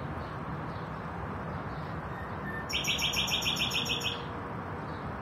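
A common nightingale gives a short, thin whistle and then a fast trill of about a dozen bright, high notes lasting under two seconds, over a steady low rumble.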